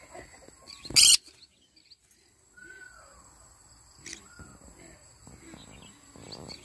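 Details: Yellow-sided conure in the morning: one loud, broad, grating screech, then a softer short squawk a few seconds later. Faint whistled notes and light rustling fill the gaps.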